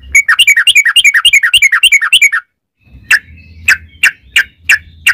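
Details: Yellow-vented bulbul 'ropel' song used to lure other bulbuls into singing: a two-second torrent of rapid bubbly notes, then slower sharp chirps over a low background hum.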